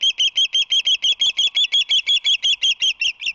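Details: Osprey at the Whirley Crane nest on March 22, 2019, while a visitor is present. It gives a rapid, evenly spaced series of about twenty sharp, high, piercing chirps over three seconds, with no other sounds.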